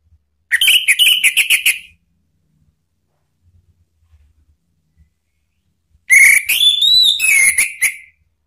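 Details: Ngeplong-style singing by a male Orange-headed thrush, offered as a provoking sound for other birds: a choppy series of clear whistles, several seconds of quiet with faint low thuds, then a longer rising and falling whistled phrase.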